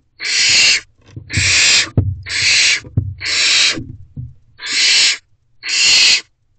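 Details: Excited wild barn owlets in a nest box at a night food drop-off give loud, rasping hissed screeches, each about half a second long and repeated roughly once a second, with faint bumping sounds.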